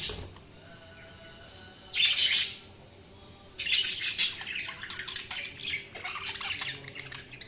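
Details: Budgies chirping: a quiet opening, then a loud burst of harsh chirps, a pause, and a long stretch of rapid, scratchy, high chattering warble.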